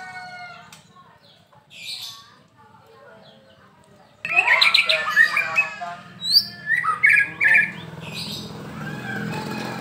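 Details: Medan-type white-rumped shama in a cage, quiet low hum and faint notes before a loud, abrupt burst of mixed whistles, chatter and bright upswept notes about halfway through.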